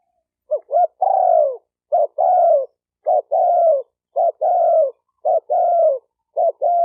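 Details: Spotted dove call used to excite males and females. A brisk run of about seven phrases, each a pair of quick notes then a drawn-out descending coo, coming about once a second with no other sounds.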